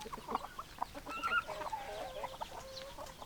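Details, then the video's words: Chickens, hens clucking and roosters crowing: short overlapping clucks in the first second, then a longer wavering, slightly rising note and a drawn-out falling tone, with several birds calling over one another against a soft background murmur. "Chicken Sounds Noises Hens Clucking Roosters Crowing"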